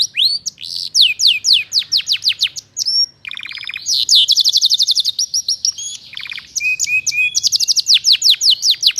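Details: Canary in energetic full song, recorded as a tutor and stimulus for training white-rumped shamas: rapid descending trills and chirp series, rattling buzzy bursts near the middle, high sweeping notes throughout, continuous for about nine seconds.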